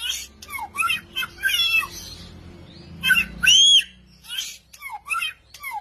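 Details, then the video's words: Samyong in lively, varied song: quick downslurred whistles and chirps in bursts, then a strong arched whistle followed by more rapid falling notes, over a low background hum. "Burung samyong gacor 1001 suara."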